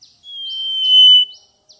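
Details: A single drawn-out, clear whistle from a mangrove whistler (Pachycephala cinerea), swelling in loudness over about a second before cutting off sharply, with faint short slurred notes around it.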